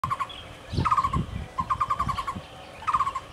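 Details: Muller's barbet recorded at Kenting, Taiwan: rapid bursts of hollow, even notes near one pitch, about five to eight per burst, repeated with short gaps; low rumbling background noise.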